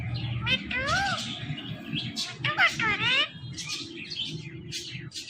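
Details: Ring-necked parrot talking, repeating mimicked words in bright, harmonic, rising and falling phrases mixed with sharp chirps and meow-like notes, with a low steady background hum.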